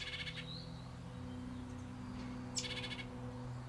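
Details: A juniper titmouse fledgling, about to leave the nest box, calls for encouragement while its parents call nearby: two short, harsh, buzzy bursts about two seconds apart, with a thin whistle between, over a steady low hum.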